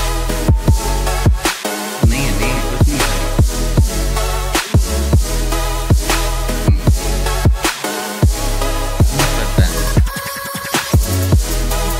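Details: Heavy electronic music with deep bass drops and a thumping beat plays throughout, with no animal sound heard.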